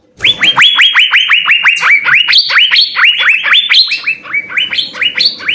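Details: Asian fairy-bluebird singing actively with full fill-in phrases, offered as a master for training songbirds. After a brief silence, a loud, unbroken string of liquid rising whistles, rapid and slightly uneven, with higher notes near the end.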